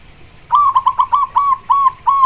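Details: Local zebra dove calling to attract a mate: a loud, rapid series of short, soft, rippling coos, then slightly longer trilled notes, all on one steady pitch.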